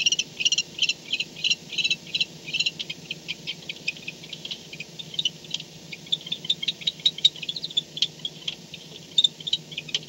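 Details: At a barn owl nest in the dark early morning of 2-10-16, 4:38 am, after an owl comes home: loud clicking twitters open the recording, then sparser, quieter ticks and short rattles follow, with a low steady hum.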